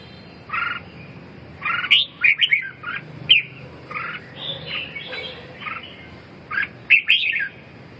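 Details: Red-whiskered bulbul delivering choppy whistled phrases, some louder sharp notes among softer warbles, phrases spaced irregularly across the recording, faint background hum.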